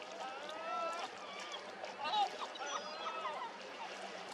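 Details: Caspian gulls, several birds at once, give overlapping nasal, wavering calls in a continuous clamour over a background wash of water.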